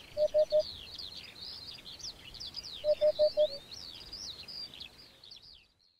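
A Eurasian hoopoe gives soft, low, hollow hoots in quick runs, three then four, against a steady high chatter of other small birds.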